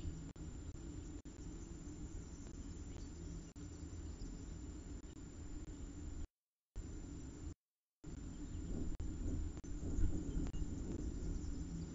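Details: Low steady rumble and hiss with brief silent dropouts; no animal voice can be heard.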